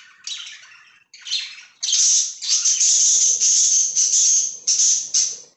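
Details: Pet budgerigars giving raspy chirps that swell into loud, sustained harsh squawking bursts repeated almost twice a second.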